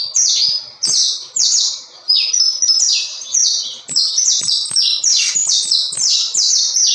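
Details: High, rapid song from a saffron finch, phrases of quick falling chirps and sharp ticks running into one another over seven seconds, a few short gaps between bursts.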